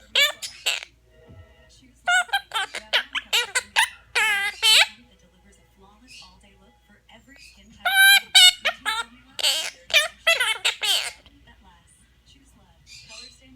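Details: A female pet monk (Quaker) parakeet sings along with her owner's nursery songs, in bursts of harsh, squeaky, warbled notes alongside the person's voice.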